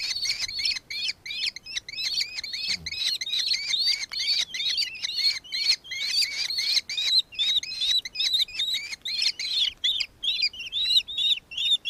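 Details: Recorded on 4 December 2024 in Victoria, Australia, a nankeen kestrel keeps up a long, steady series of piercing, clipped chevron-shaped notes, roughly two or three each second, with only short breaks.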